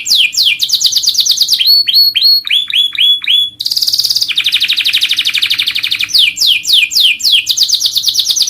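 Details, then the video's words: Canary master song for training other birds: loud, continuous rolling trills of rapid repeated high notes, changing phrase type every second or so, from falling sweeps to fast buzzy tours and back, with a faint steady hum underneath. "Masteran suara burung kenari"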